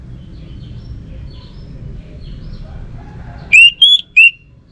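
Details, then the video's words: After several seconds of low background rumble, an orange-headed thrush in Bali suddenly delivers one short, loud three-note whistle: a rising slur, a higher note, then a lower closing note. "Burung ANIS MERAH Lansung Nyaut Gacor Tanpa Henti"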